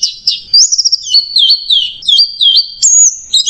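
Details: Orange-headed thrush, macet jernih style, giving clear whistled loops and a quick trill, phrases separated by brief silences, ending with a rising, sustained high whistle.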